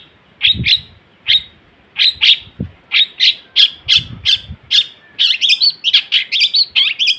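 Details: Long-tailed shrike, a vocal bird that cleverly imitates other sounds, giving loud, sharp chirping notes, often doubled, repeated about every half second, growing faster and more varied toward the end, with faint low thumps.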